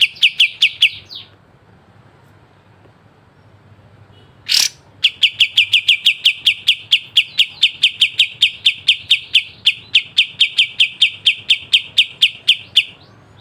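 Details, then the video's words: Pied triller with sharp 'besetan' chatter, recorded as training material for songbirds: clipped, high notes repeated about three per second, a short gap, one loud click, then a long steady run of the same sharp notes. "Masteran full kapas tembak dengan besetan tajam"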